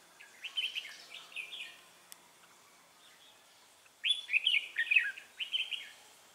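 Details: Red-whiskered bulbul singing at a trapping session, 3 November 2018: two bursts of quick, lilting whistled notes, each a run of four or five bright phrases, with a quiet pause between them.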